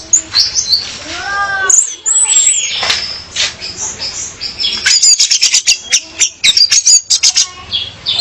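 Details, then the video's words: Female orange-headed thrush luring a male, played as song training: soft descending slurred whistles, then a lively series of short high chirps and trilled notes. "Kicau Anis Merah Betina Pemikat Anis Merah Jantan Biar Gacor"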